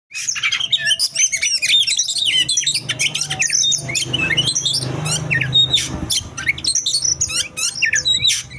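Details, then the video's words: Oriental magpie-robin in fight mode pouring out a loud, rich, fast song of varied whistles, sharp chirps and buzzy trills, notes tumbling almost without pause; a low hum runs underneath. "Fight mode | Magpie Robin"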